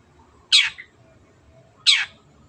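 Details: Long-tailed shrike, a cage bird used for training others, two loud rasping notes sliding downward, about one and a half seconds apart, against quiet background.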